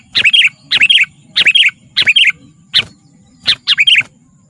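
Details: Sooty-headed bulbul, for attracting wild birds and song training, pouring out repeated bubbly three-note phrases roughly every half second, with a few single sharp notes mixed in.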